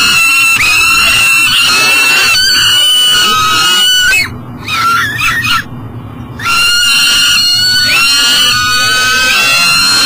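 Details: Peregrine falcon carrying breakfast, failing to enter its nest box on a flyway site by the Mississippi River, Elk River, Minnesota, morning of July 12, 2012; strained, harsh wails in drawn, downward-bending notes, a quieter gap midway.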